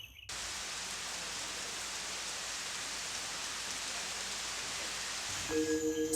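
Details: Steady hiss like rain or rushing water, ending with a brief steady electronic tone, and no animal voice.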